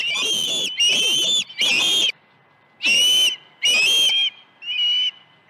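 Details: Osprey at its nest on a ranch, 21 August 2019 in the morning, around the arrival of two fish: bursts of high, shrill whistles, each about half a second long, coming roughly every second with a pause midway.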